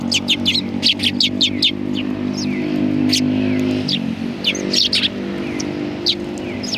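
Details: A busy flock of sparrows on a bench at a Tenmangu shrine in winter 2020 chirps rapidly and almost continuously, overlapping notes above a droning vehicle engine that fades midway.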